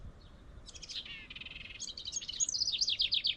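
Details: House wren singing in a tree near its birdhouse: after a short quiet start, a rapid bubbly burst of buzzy, stuttering trills runs into a jumble of high, quickly rising and falling twittered notes, growing louder toward the end.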